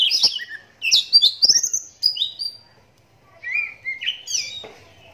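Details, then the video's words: Raised in captivity despite a cataract in one eye, an adult oriental magpie-robin sings to draw answers from other magpie-robins. Dense bright whistled phrases with upslurs and clicks, a pause, then a second phrase of rising whistles. "Walau Matanya Buta Tapi Suaranya Mampu Bikin Kacer Lain Langsung Nyahut"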